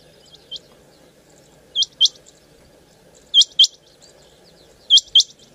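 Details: Quail calling in Punjab, loud doubled high notes sounding every 1.5 seconds after a softer single note, with a faint background hum.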